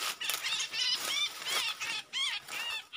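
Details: Red-eyed bulbul, with a wild bird trapped using a decoy call in January 2022: harsh, nasal, arched notes repeated in rapid succession, rising and falling, with hissy background noise.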